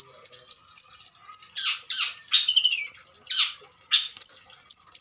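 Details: An adult Long-tailed Shrike from breeding stock gives mimicry-rich song. Rapid regular high ticks are followed by harsh rasping bursts and a long falling whistle, then more ticks.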